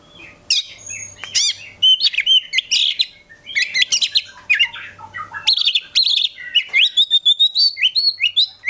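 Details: An Oriental magpie-robin pours out a loud, varied song of sweet whistles, rapid trills and harsh chattering notes in quick succession over a faint low hum; it is a tutor recording meant to make other magpie-robins answer.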